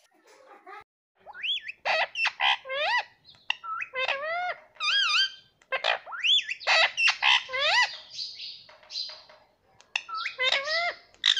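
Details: Pet green ringneck parrot at home calling out "Mami" in a talking voice, with a fast run of loud, rising harmonic squawks and whistled chirps, repeated about twice a second.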